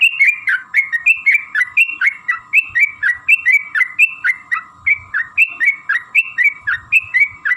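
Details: Sooty-headed bulbul song used as a lure to make other bulbuls sing: long run of bright whistled notes, each a quick rising-then-falling flourish, repeated about four times a second with steady rhythm, on a clean quiet background.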